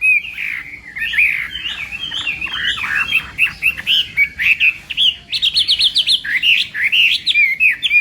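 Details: Morning voice training of a contest hwamei: dense, continuous warbling with looping whistled notes, then a rising run of fast repeated high sharp notes, loud and lively throughout.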